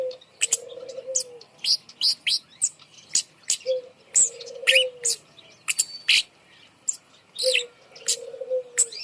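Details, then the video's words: Hung up high as a lure for reluctant singers, a kemade bird mixes rapid high chirps with a low, wavering whistle repeated three times. "gantang burung kemade di atas untuk pancingan burung malas bunyi"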